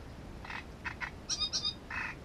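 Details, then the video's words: Great reed warbler filmed at its nest: harsh, grating notes in short pairs, followed by two higher, sharper squeaky notes and another coarse burst, over a low background hum. "Камышовка дроздовидная"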